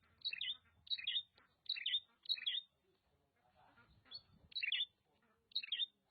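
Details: Oriental magpie-robin from Nagan Raya, Aceh, delivering short rich whistled phrases, each a quick downward-twisting flourish, spaced about half a second to a second apart with quiet gaps.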